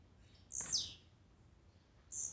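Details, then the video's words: Blue-black grassquit, played to excite a kept bird: one sharp, high, buzzy note sliding steeply down, then a pause before a second high buzz starts at the end. "Melhor esquente de tiziu,cantos e macheados para enlouquecer sua ave."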